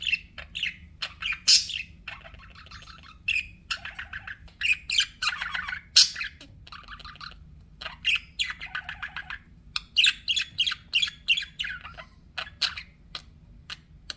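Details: Budgies, kept as pets, keep up busy chirping: rapid clicks, sharp squawks and warbled phrases tumble over one another, bursts of loud chatter separated by brief quieter gaps.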